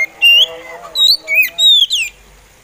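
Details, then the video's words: Oriental magpie robin (kacer) giving a slow-style song meant to get other magpie robins singing: five loud, clear whistled phrases in under three seconds, some sliding downward and others rising sharply, over a faint low hum. "SUARA SLOW ORIENTAL MAGPIE ROBIN BIKIN POCI KACER ON"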